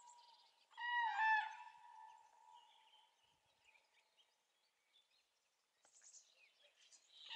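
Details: Cranes calling at dawn on 3 April 2016: one loud, brief, harmonic trumpeting call rings out near the start, then fades into quiet morning air, with faint chirps of small birds later on.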